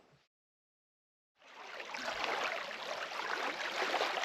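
A brief silence gives way to a steady rushing of flowing water, with no animal voices.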